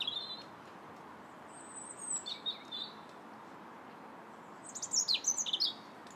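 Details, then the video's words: Robin in January giving short high warbled phrases, a scattered few early on, then a rapid tumbling burst of bright, sliding notes near the end, over gentle hiss. "Still the Robins Sing January 21st"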